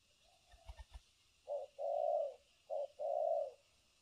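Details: Spotted dove used as a new decoy bird for trapping, cooing continuously in the thổ cấn sấm nước style: a soft short note then a long low coo, twice, after a few faint clicks, with a quiet hiss behind.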